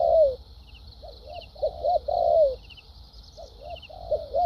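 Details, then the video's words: Wild-caught spotted dove with 'thúc gù' and 'lèo dặm' cooing: one loud descending coo, quick soft paired notes, another drawn-out coo and more soft notes, over a persistent high-pitched buzz. "Đồng tốt tiếng bài bản.clip 870.nết chơi thúc gù,lèo dặm quá hay"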